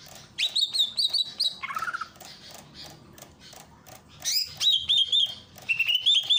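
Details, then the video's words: Greater green leafbird from Ujung Kulon singing a training master over fountain water: clear whistled notes in rapid strings, a brief lower chattering burst, then more high repeated whistles, with steady water noise throughout. "burung cucak ijo ujung kulon.. masteran cucak ijo dengan terapi air mancur"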